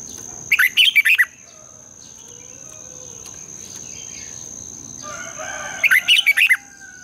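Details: Red-whiskered bulbul morning song in the twisted double-voice style, a decoy to stir other birds: two lively phrases of five or six rapid warbled whistles about five seconds apart, faint rustling calls and a constant high tone in between.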